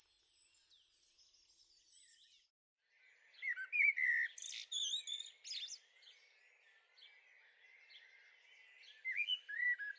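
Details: A young Eurasian blackbird in a garden, May 2013, the second juvenile seen. High thin whistles come first, then after a pause a varied run of squeaky, twittering and sliding notes. Sharp high clicks punctuate the middle.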